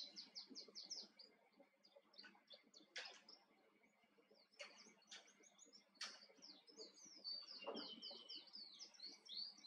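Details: A wild male Atlantic canary on Tenerife sings a long, bright, high warbling song of rapid trills and rolling repeated phrases. Several sharp clicks and thumps break in.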